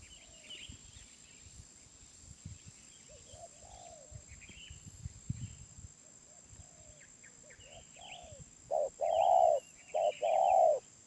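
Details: Wild spotted dove, described as 'suara menengah'. Faint distant coos and small-bird chirps over a steady noisy background, then loud close cooing near the end: short notes alternating with long hollow coos.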